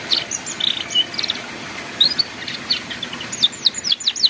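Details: Canary in ngeriwik-style song, used as a master recording for young canaries learning to sing: scattered high, thin chirps and short downward-sweeping notes, becoming denser with a quick run of descending strokes near the end.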